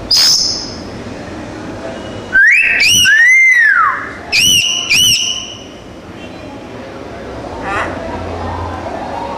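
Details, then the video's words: Talking myna, a black bird, giving loud whistled phrases: a sharp high opening note, then rising and arching slurred tones in quick bursts around the middle, fading to a softer whistle near the end over steady background hum. "MYNA | Talking Black Bird"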